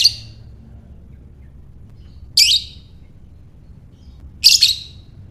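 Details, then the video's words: Lovebird giving ngekek calls, short harsh high chattering bursts repeated roughly every two seconds, three bursts against quiet low background hum. "Lovebird Ngekek"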